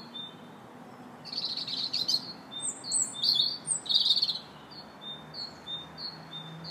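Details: A robin sings in a park on March 2nd: high, thin phrases of jumbled, sparkling bursts mixed with short sweet whistles, over a faint low hum.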